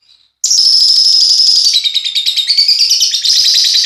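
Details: Paud lovebirds during pairing: a continuous shrill, rapid chattering of high chirps that begins abruptly and runs on for over three seconds.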